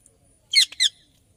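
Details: Indian ringneck parrot giving two loud, harsh, shrill squawks in quick succession, each brief and raspy, in an otherwise quiet setting.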